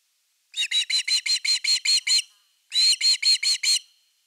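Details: An Osprey calls at its nest in the evening of 30 August 2021 as a fish arrives: nine sharp, high chirps in a row, a short pause, then five more, clean and without background noise.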